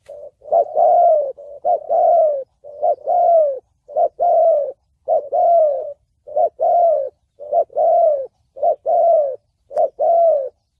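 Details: Steady 'thổ bầu' style calling of a spotted dove, a sound for trapping and decoy training: paired coos, a brief note then a longer falling one, repeated about every second, clean background.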